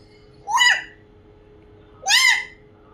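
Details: Pet African grey parrot mimicking a crow: two loud, raspy, arching caws about one and a half seconds apart, over a faint constant background hum.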